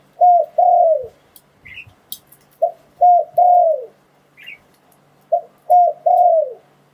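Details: Spotted dove calling, a recording used to lure wild doves for trapping. A repeated phrase comes about every two and a half seconds: two short coos, then a long, descending, slurred croo. A faint chirp and soft clicks sound between phrases.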